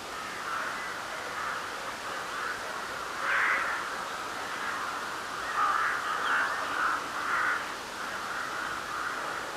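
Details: Nocturnal crow chorus in spring, full moon, March 2021: many harsh, rasping caws blend into a steady wall of sound, with louder bursts rising out of it around the middle and again toward the end.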